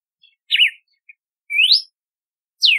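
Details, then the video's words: Red-cowled cardinal singing three clear whistled notes: a wavering slur, a long rising sweep, then a steeply falling whistle, with no other sounds. "Canto do Cardeal do Nordeste / Galo de Campina / Campina | Red-cowled Cardinal"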